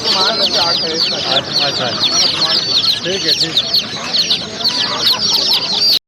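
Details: A brood of chicks keeps up a shrill, unbroken peeping. Lower voice-like sounds come and go beneath the dense high chirps.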